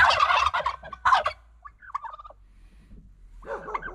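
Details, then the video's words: Domestic turkeys sounding the alarm after hearing noises in the forest: two loud, rapid rattling gobble bursts within the first second and a half, then softer wavering gobbles and a final warbling burst near the end. "The turkeys and the dog sound the alarm"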